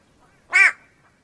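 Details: White-bellied go-away-bird, described as having an annoying call that sounds like "go away": a single loud, harsh, nasal note lasting about a third of a second, rich in harmonics and arching slightly in pitch, over faint background noise.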